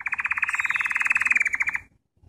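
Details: Canary (Serinus canaria) song: a fast, even trill of about sixteen rattling notes a second, holding steady in pitch for nearly two seconds, then stopping abruptly.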